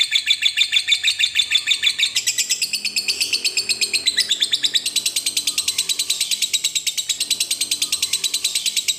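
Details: Lovebird giving a long chattering ngekek song, used to stimulate other lovebirds to sing: rapid, harsh high-pitched chatter of dense repeated notes, about three per second, continuing unbroken throughout.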